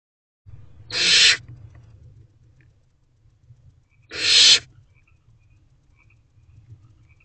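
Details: Hungry barn owl owlet in a nest box on the evening of 4 May 2023, hissing while waiting for its parents to bring food; two harsh, breathy hisses about three seconds apart over a low background hum.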